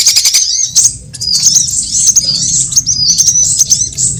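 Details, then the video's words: Sunbirds of various kinds calling in a trapping lure mix: fast high ticks at the start, then a steady run of shrill, repeated slurred chirps. "Suara pikat semua jenis burung kolibri"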